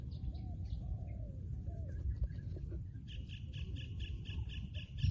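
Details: Trained decoy spotted dove cooing outdoors: a few soft, low, arched coos in the first two seconds over a steady low rumble, then rapid pulsed high chirping from another caller.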